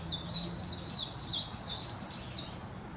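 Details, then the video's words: Song of a warbling white-eye recorded in Hashimoto, Wakayama, Japan, 26 June 2021, using a Nikon Coolpix P900; continuous lively warble of very high, sharply descending notes tumbling one after another for three seconds, with a steady thin high hiss behind. "メジロ さえずり 姿 鳴き声 warbling white-eye song"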